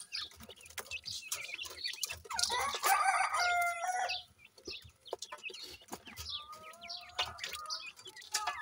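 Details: Captive Grey francolin chicks at feeding time while the female offers them insects; rapid high chirps, about two a second, with a louder drawn-out, tonal, wavering call in the middle and shuffling noises throughout.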